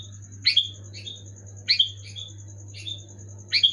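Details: Sooty-headed bulbul singing in lively 'gacor' style to spur silent caged bulbuls into song: three short, bright whistled phrases, each a quick burst dropping in pitch, spaced over a second apart, with a constant low hum beneath.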